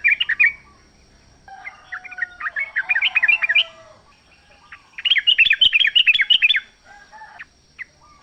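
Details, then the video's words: Wild sooty-headed bulbul singing in natural surroundings: bursts of bubbly, chattering whistled notes rising and falling, two busy phrases separated by a quieter gap with a soft low whistle. "trucuk gacor ngalas full suara alam"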